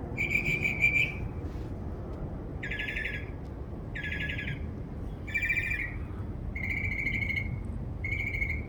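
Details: In a backyard, a bird known for more than 20 different sounds alternates clear chirp series with harsher, buzzy rasping notes, each burst under a second long and spaced about a second apart, over faint low noise.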